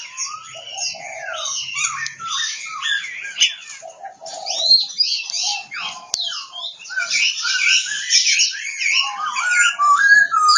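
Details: A long, dense song from an Oriental magpie-robin (kacer) in Kebumen, Central Java, mixing chattering notes, slurred whistles and harsh scratchy passages that grow louder and fuller toward the end.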